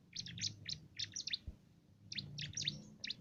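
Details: Bar-winged prinia (cimblek), a small, lively bird with a loud voice, giving a canary-like 'isian' song used to tutor contest songbirds: two bursts of high, quick chirping notes separated by a short pause.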